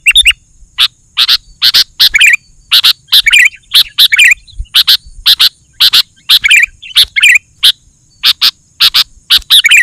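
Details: Sooty-headed bulbul chattering song, used to lure other bulbuls: dense, steady stream of loud sharp chirps, many ending in short slurred warbles, repeated with little pause over a faint hiss.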